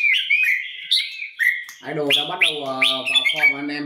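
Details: Red-whiskered bulbul, a competition bird being prepared for upcoming singing contests, sings bright, slurred whistled phrases that rise and fall quickly; a man's voice talks over the second half.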